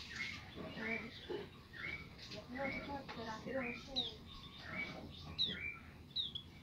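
A white-eye sings a fast, chattering run of high twittering notes and quick rising and falling whistles, with a lower murmuring sound beneath.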